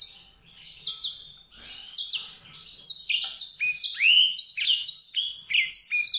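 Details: White-rumped seedeater song: a fast, high-pitched warble of slurred whistled notes. It starts in scattered bursts, then becomes a continuous stream of rising and falling sweeps, about four notes a second.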